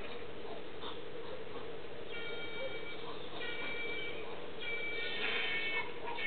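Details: Several whistling herons interacting on a Brazilian pine (Araucaria angustifolia) in Gravataí, Rio Grande do Sul, Brazil; thin, steady-pitched whistled notes with harmonics come in short bouts over a constant low hum.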